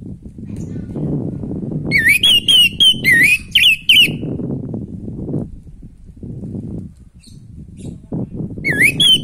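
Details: Orange-headed thrush song over steady low rumble: a two-second run of rolling, rising-and-falling whistled phrases, a long gap, then a fresh rising whistle at the end. Played to prompt breeding drive in a sluggish bird.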